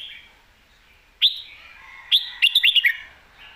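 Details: Red-whiskered bulbul song for teaching young birds, beginning with single sharp whistled notes a second apart, then a rapid bouncing run of five or six clear whistles.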